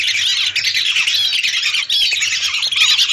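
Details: Lesser whistling ducks, hundreds of birds, recorded for use as a lure. Many overlapping thin whistled notes form a steady chorus, with a few brief dips in the din.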